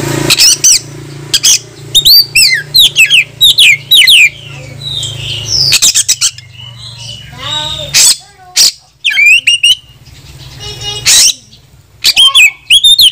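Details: An Oriental magpie-robin in full song, said to be calling a rival to fight, sings a rich, varied song of high whistles, slurred notes, rapid trills and harsh chattering phrases, with short pauses between bursts.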